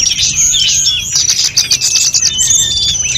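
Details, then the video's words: Snowy-browed flycatcher, a training recording for other birds, singing fast, dense high twittering with thin whistled slides and chirps, continuous and unbroken throughout. "Masteran sulingan gunung full isian || Tledekan gunung gacor || Sulgun nyuling-nyuling"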